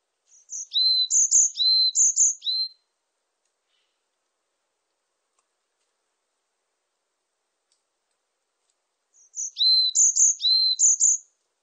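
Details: Varied tit singing two matching phrases about nine seconds apart, each a rapid run of high thin whistles alternating with lower drawn-out notes, repeated identically; silence between phrases.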